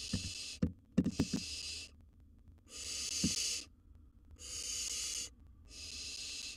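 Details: Wild young barn owl in a nest box with gerbil prey: four long, raspy hissing screeches about a second apart, with a burst of sharp knocks and scratching at the start.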